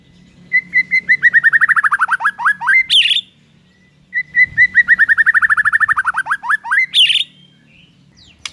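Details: Song of a white-rumped shama in the morning, provoking rivals, with two matching phrases, each a rapid series of about twenty notes sliding steadily downward, ending in a harsh burst.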